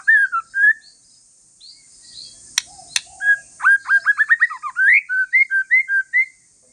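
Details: Calm song of a white-rumped shama of the Aceh forest strain, Indonesia, meant to prompt other shamas to answer: varied clear whistled notes, slurred and falling, then a fast run of rising whistles and bright chirped phrases, with two sharp clicks.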